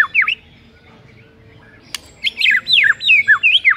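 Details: White-rumped shama singing in the morning to get a rival shama to sing: a brief opening slur, a quiet gap with one sharp click, then a run of loud swooping whistles that fall and rise.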